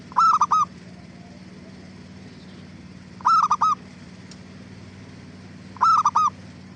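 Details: Zebra dove song meant to prompt other doves to reply: three identical phrases of rolling, clipped cooing notes, spaced nearly three seconds apart, against a low steady hum.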